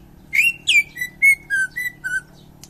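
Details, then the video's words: Champion greater green leafbird from Indonesia singing a phrase of seven ringing whistled notes, the first two sliding down, the rest short level whistles dropping slightly in pitch, spaced about a quarter second apart. "Cucak ijo juara"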